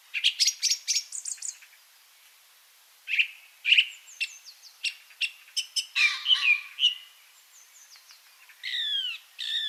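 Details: Song Thrush in spring, one of the birdsongs heard in Monkstown, Dublin gardens and parks, sings loud, shrill, urgent phrases, each note repeated two to four times in quick bursts and separated by brief pauses.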